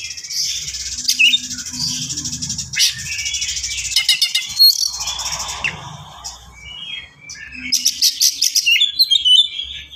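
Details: White-rumped shama, a fast, dense singing bird used as a master tutor and to prompt young birds to sing: rich varied phrases of whistles, rapid trills and sharp bursts, with a steady low hum underneath.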